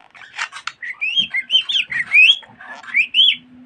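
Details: Budgie talking with rising whistled syllables and scratchy rasps, over a faint steady low hum.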